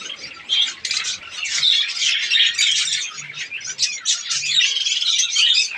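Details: Chorus of budgerigars in a breeding colony during the breeding season: steady, high, scratchy warbling and squeaky chirps from many birds at once, with faint low hum pulses in the background.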